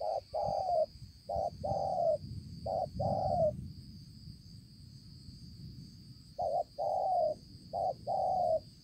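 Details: Decoy spotted dove, recorded 5 September 2020, gives paired coos, a brief note followed by a longer level one, in two bursts of several pairs separated by a pause, with a continuous high buzzing background.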